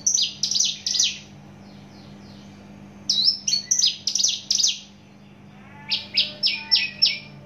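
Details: Native Javan bush lark singing with volume and speed: quick runs of high, descending, buzzy notes, a pause, then a varied whistled burst and another even-paced series of clipped notes, with low background hum.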